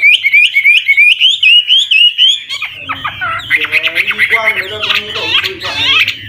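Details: Old wild Chinese hwamei sings continually varied phrases to encourage young birds to sing; a fast even run of whistled notes, then a jumble of harsher, complex slurred notes with low hum beneath.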